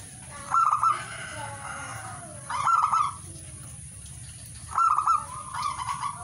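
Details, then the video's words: Perkutut, the zebra dove, giving short trilled cooing phrases about every two seconds, each with a bubbly start and softer tail, over a quiet steady hiss. "singing birds of turtledove"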